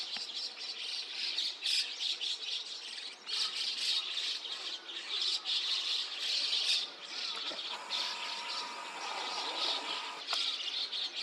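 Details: Early-morning gathering of white-cheeked starlings with chestnut-cheeked starlings, Takata-cho, Rikuzentakata, Japan, 29 June 2026 at 5 a.m.; harsh massed chatter in surges, a steady lower tone near the end.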